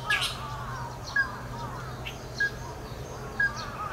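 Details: Ruddy-breasted crake giving short, sharp clipped 'kyo' notes repeated roughly every second, over a steady low background hum, with faint calls of other birds.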